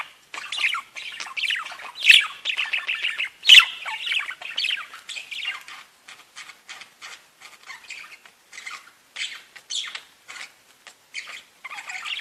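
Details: Pet budgerigars chatter in fast, scratchy warbles broken by sharp squawks and high clicks while their enclosure is being cleaned.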